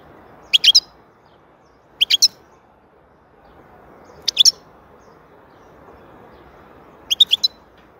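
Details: Goldfinch song, European species: brief bursts of three or four rapid, high tinkling notes, spaced roughly two to three seconds apart, with a faint low background hum.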